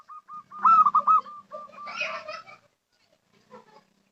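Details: Local zebra dove giving a lure call: rapid short coos leading into a loud rolling trill, then a brief burst of rougher, noisier sound and faint later notes.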